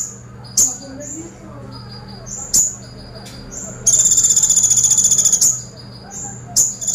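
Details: Brown-throated sunbird singing a lively song in the 'tembakan pelatuk' (woodpecker burst) style: sharp, very high chips spaced a second or two apart, and one fast, even, metallic rattle lasting about a second and a half over a faint low hum.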